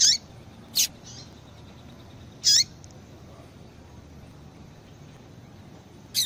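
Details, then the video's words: Female Double-collared Seedeater giving contact calls that stimulate a male's song; four brisk high chirps with a downward-bending lower tone, separated by long pauses of nearly two to four seconds. "Fêmea de Papa capim Chamando Muito"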